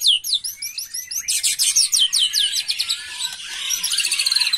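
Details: Agitated white-rumped shama in 'macul' style song: rapid descending high whistled notes, then a dense burst of harsh, buzzy trills, followed by softer warbling with faint chirps behind.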